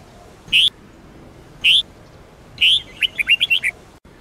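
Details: Sông Kôn red-whiskered bulbul singing for daily training: two lone clear whistles about a second apart, followed by a lively run of six or so quick warbled notes.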